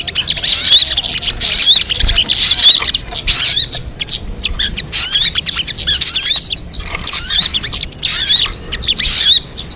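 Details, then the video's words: Crested jay in a lure recording, giving noisy chattering bursts full of thin rising whistles. The bursts come in uneven runs close to once per second, with a few short pauses. "Suara MP3 burung sogon kamade"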